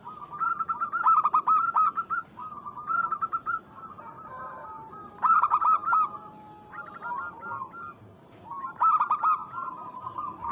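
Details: Local zebra dove calling a rival to provoke it: loud bursts of rapid, stuttering coos recur every two to three seconds, with softer, level, drawn-out coos between them and a second bird faintly overlapping.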